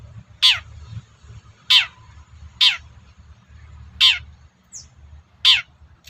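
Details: Provoking call of a long-tailed shrike, meant to draw replies from other shrikes: loud, grating downward-sweeping notes repeated about every second, with a low hum and background hiss.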